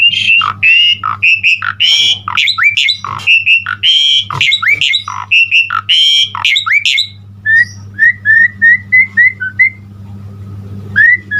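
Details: Loud harsh squawking and chattering from an Asian pied starling in full-fill-in song for about seven seconds, followed by a neat series of short clear whistled upslurs, over a low steady hum.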